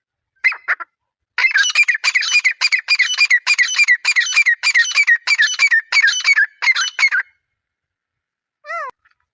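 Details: Grey francolin giving a long, steady series of loud, harsh, grating notes repeated about three times a second for some six seconds, ending with one clear rising-and-falling whistled note.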